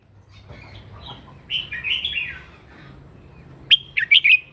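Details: Red-whiskered bulbul giving a morning fighting song during voice training: a brief warbled, slurred phrase at mid-high pitch, a pause with faint background hiss, then a sharper run of bright, clipped whistled notes at the end.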